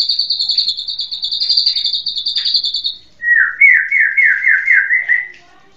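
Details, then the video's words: White-rumped shama song: a fast rattling trill held high for about three seconds, then a lower run of rapid repeated slurred notes, loud and clear against a quiet background. "SUARA BURUNG MURAI"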